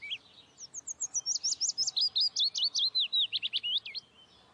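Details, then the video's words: Nestling Saker falcons on a Hungarian nest webcam, 11 May 2012, giving a fast run of about twenty high, clipped, hook-shaped notes, thin at first and then dipping slightly lower before stopping. "Saker Falcon, Hungary, 11.05.2012. Chicks"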